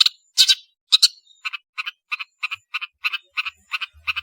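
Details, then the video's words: Long-tailed shrike (cendet) singing energetically as a tutor track for training birds. A loud rasping burst opens, followed by a steady run of short, harsh, buzzy notes about three per second. A faint low hum comes in near the end. "MASTERAN BURUNG CENDET GACOR"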